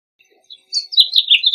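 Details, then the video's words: House Finch giving a short burst of song, a quick run of high slurred warbling notes lasting under a second after a few faint soft chips. "House Finch Song! House Finch Call! House Finch Sound! -Pinzón Mexicano Canto-"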